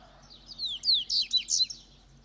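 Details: Double-collared seedeater, Itaguaçu, Espírito Santo, Brazil, delivering one brief, bright phrase of high, descending slurred whistles and rapid chips, over a quiet background.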